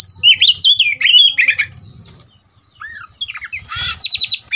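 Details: Oriental magpie-robin provoked into a fighting mood. It gives a fast run of sweet slurred whistles and sharp chips, falls quiet briefly, then bursts into a harsh rasping note followed by quick repeated chirps.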